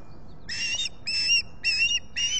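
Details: Nesting osprey in the Finger Lakes region, US, squawking on a summer morning in July 2021: four loud, piercing, slightly rising whistled notes spaced about half a second apart.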